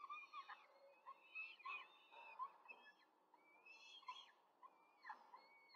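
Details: Peregrine falcons at a nest in Rome, 5 May 2023, during a quick feeding of four chicks by the female: overlapping harmonic squealing calls, some rising and falling, repeated in short bursts with brief pauses.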